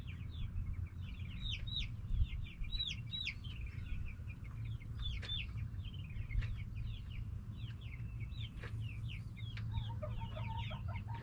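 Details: Backyard flock of hens and roosters making a lot of noise: dense, continuous high downslurred chirps from many birds throughout, over a steady low hum, with a brief lower chattering sound near the end.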